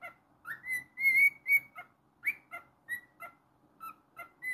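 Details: Pet cockatiel whistling in a fast, uneven series of clear notes, a long held tone early, then repeated rising and falling chirps about three per second.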